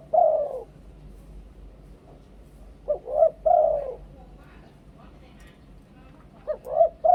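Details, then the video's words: Spotted dove in Thailand giving two-kuk 'khu-ang' coos: a long drawn coo, a pause, then a quick short note leading into two fuller coos, and another brief pair at the end, in an otherwise quiet setting. "นกเขาใหญ่ 2 กุก คูอ่าง เสียงต่อชัดๆ"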